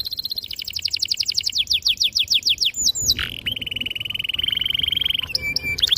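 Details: Gacor canary delivering long rolling song, clear and sharp, meant to prompt young birds to learn and sing: rapid repeated chirps sliding lower, a quick downward sweep, then a long even trill ending in short notes.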